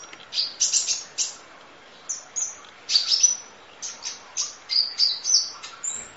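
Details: Rapid, very high chipping and thin whistled slurs from a Kolibri Ninja sunbird, full-fill 'nembak' masteran training audio, notes coming about three per second in uneven clusters.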